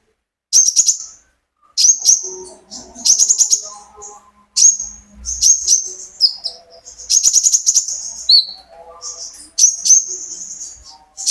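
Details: Olive-backed sunbird, a kept bird, singing with natural pauses to stimulate other birds: repeated phrases of shrill, buzzy chirps ending in a high trill, each phrase about a second apart, with faint soft background noise.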